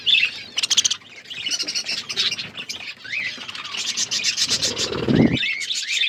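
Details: Budgerigars in a forest-environment outdoor aviary while eating seeds: continuous high, scratchy warbling and squawky chirps from several birds, with short rising whistles and a brief low rustling burst near the end.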